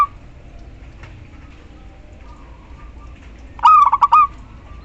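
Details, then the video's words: Local zebra dove female summoning the male: a long quiet stretch of low hum, then one rapid, bubbling phrase of four or five clipped coos near the end. "perkutut lokal betina memanggil JANTAN"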